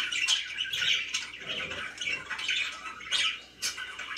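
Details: Pet budgies warbling and chattering in scratchy, rasping phrases with short squeaks, a small group of voices blending continuously.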